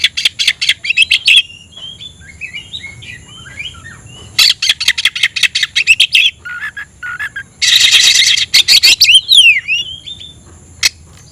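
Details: Singing oriental magpie-robin looking for a rival: quick rasping note series alternate with soft, lower warbled phrases. A loud noisy burst is followed by sharp descending whistles.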